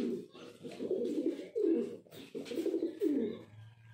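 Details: A male pigeon gives low, throaty, rolling coos in repeated bursts about a second apart, heard close up indoors.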